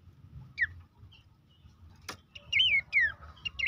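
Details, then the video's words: Horsfield's babbler, played as a recording to prompt caged birds to sing: a few scattered whistled downslurs, a sharp click, then a louder cluster of looping clear whistles. "terapi pancingan dan masteran burung pelanduk semak bikin aktif rajin bunyi"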